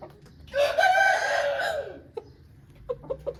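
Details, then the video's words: Aseel rooster giving one strong, raspy crow lasting about one and a half seconds, ending with a slight downward slide, followed by a few short clucks. "Aseel Bird Sound Effect"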